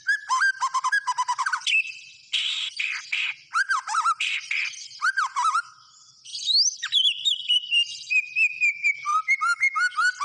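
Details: Energetic song of a white-rumped shama: fast repeated chattering notes, harsh buzzy bursts, looping whistles, a sharp rising sweep, then a run of clear whistled notes.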